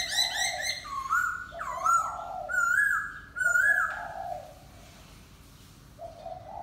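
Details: Laughingthrush singing: rapid upward-sweeping notes give way to loud, wavering whistled phrases with abrupt pitch steps. A softer, lower sound is heard beneath and at the end.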